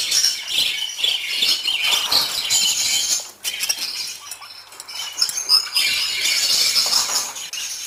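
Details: Group of budgies chirping in a busy, overlapping chorus of high, scratchy twitters and warbles, briefly quieter near the middle before the steady chatter resumes.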